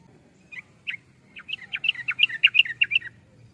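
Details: Yellow-vented bulbul singing a quick, bubbly phrase: a few scattered chirps, then about a dozen rapid, liquid notes that rise and fall, set against a soft low hum.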